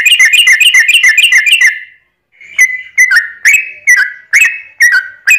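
Yellow-vented bulbul giving a fast run of bubbly chirps, then a pause and a series of loud, liquid whistled phrases about every half second.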